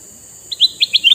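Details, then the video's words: Brief burst from a red-eyed male sooty-headed bulbul, used as a lure for wild birds: five clear liquid notes in rapid succession, the last sliding upward, over a soft high hiss. "Burung kutilang mas jantan mata merah"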